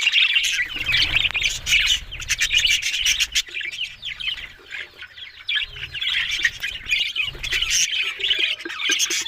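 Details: Budgerigars, Australian parrots, chattering in overlapping warbles and chirps, with bursts of rustling and wing flutters and dry clicking sounds mixed through the sequence.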